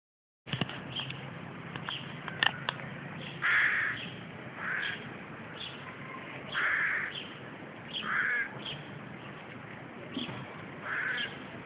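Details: Lively, active hooded crow fledglings give hoarse, drawn-out caws, roughly one every one to two seconds, over a steady background hiss with a few sharp clicks.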